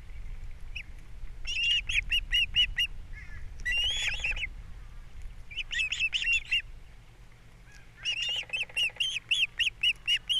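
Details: Wild osprey pair on Captiva, nest camera, April 3, 2022, breakfast fish brought in and chicks fed by the female: rhythmic series of sharp whistled chirps, about five per second, in several bursts.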